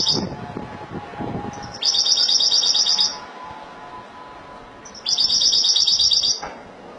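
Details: A Spanish goldfinch in Malaga song style delivers two bright, rapid, buzzy trilled phrases, each about a second long, separated by a short quiet pause.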